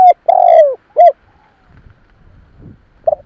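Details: Spotted dove cooing to lure wild doves: a long, tremulous coo that sags at its end, a short rounded coo, faint low rumbling, then one more coo note beginning.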